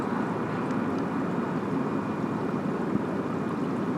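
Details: Steady broadband hiss like rushing water or distant engine noise, with no animal call standing out.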